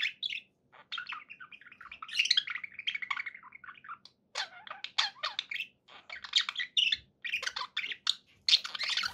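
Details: Pet budgerigars in steady, almost unbroken chatter: rolling scratchy warbles, squeaks and chirps over a faint low background hum.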